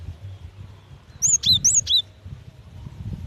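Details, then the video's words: A female cinereous tit calls the male with a single short burst of four high notes, alternating a sharp chirp with a lower falling whistle, surrounded by quiet low background hum. "Suara gelatik batu betina"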